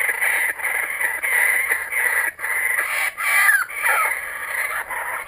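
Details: Several kookaburras back again, loud raucous cackling in bursts of harsh repeated notes broken by short pauses, one rising squawk midway.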